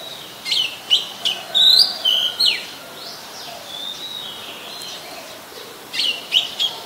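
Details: Oriental magpie-robin, very common resident, singing in Ubon Ratchathani, Thailand, on 27 December 2020: sharp whistled notes and steep downward and upward sweeps in bursts, a softer stretch midway, then a fresh burst of bright notes near the end.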